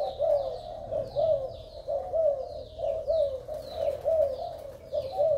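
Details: Male spotted dove of Malaysian stock, strongly calling, with a fine neck collar. Rhythmic low coos with slightly rising-falling inflections swell roughly every second, while thin downward chirps repeat high above.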